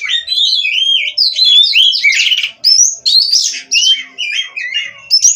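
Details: Oriental magpie-robin, a captive-bred bird singing nonstop: loud, varied phrases of slurred whistles rising and falling, rapid twittering runs and harsh buzzy notes, with brief pauses between bursts.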